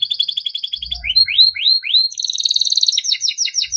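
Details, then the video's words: Singing yellow Timbrado canary. A rapid even trill opens, then three separate rising whistles, then a high buzzy roll and quick repeated chirps. A brief low thud is heard near the start. "Yellow canary singing video Timbrado canary singing beautiful melodic songs"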